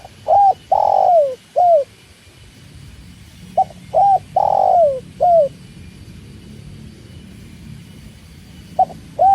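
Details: Spotted dove (tekukur) cooing beside water: phrases of a short note, a long falling coo, and a short final note, repeated about every three seconds, then a pause before a new phrase begins, over a steady low rushing background.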